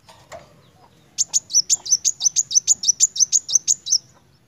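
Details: Van Hasselt's sunbird sings a fast run of about sixteen thin, very high, sharp notes, roughly four per second, after a brief click at the start.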